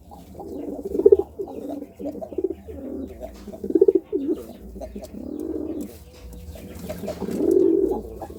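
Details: Series of low, rolling coos from a courting pigeon, repeated in short phrases with brief pauses, ending in a longer swelling coo, in a quiet setting.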